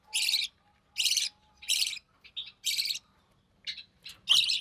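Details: Recessive pied budgerigar chick being fed by its mother, the only one of three hatchlings to grow up: four rough, hissing bursts about a second apart, followed by shorter scratchy notes and a final loud squawk.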